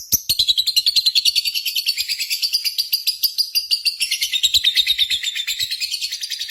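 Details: Lovebird contest-simulation sound used as a lure to stimulate singing: a continuous, rapid, shrill chattering trill with pulses several times per second, wavering slightly in pitch throughout, with steady high twittering.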